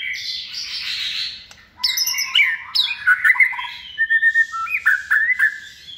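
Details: Second-season white-rumped shama, hand-reared and kept in a cage for competition singing, said to have many voices. A harsh rasping opening is followed by quick, varied whistles and sharp chipping notes.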